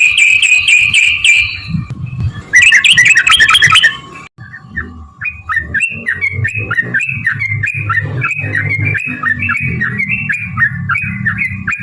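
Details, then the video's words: Sooty-headed bulbul song, described as a long rapid fighting-style trill used as a lure to make other birds answer. It opens with loud harsh squawks, then moves into a steady run of bubbly, fluted two-note phrases with a constant low hum underneath. "trucukan gacor TARUNG ROPEL PANJANG pancingan trucukan agar bunyi jadikan burung trucuk NYAUT gacor"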